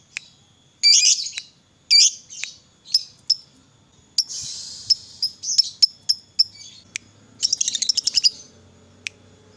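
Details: Lovebird of the fighter type, offered as a lure so other lovebirds keep singing: sharp high chirps and harsh squeaky bursts in uneven bouts, ending in a quick stuttering run of notes.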